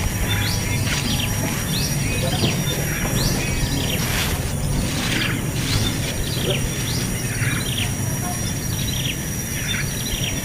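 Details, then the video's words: Hungry baby bird, impatient to be fed, giving rapid high chirps that slide downward, repeated irregularly throughout, over a steady low rumbling background noise. "BAYI BURUNG YANG KELAPARAN DAN GAK SABAR MAU MAKAN"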